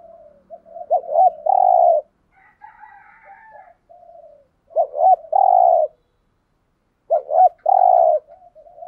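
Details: A spotted dove kept as a decoy coos to lure wild birds. Three repeated phrases, each of two quick hiccuping notes and a longer husky coo, with soft murmuring between and a faint higher chatter once.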